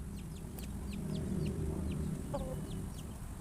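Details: A flock of chickens at feeding time reacts to a sudden noise, giving quick, thin, falling chirps from several birds in rapid succession, with a constant low hum underneath.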